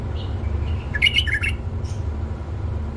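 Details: A single short, rich warbled phrase of tumbling chirps from a tame male bulbul, preceded by a soft whistle, with a steady low hum behind it.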